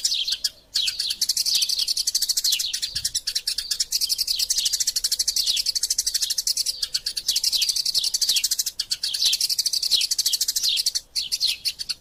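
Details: Eurasian tree sparrows in a lively fight, recorded to tutor other songbirds: twelve seconds of nearly continuous, rapid, high-pitched chirping, crowded and overlapping, broken only by a couple of brief quiet moments.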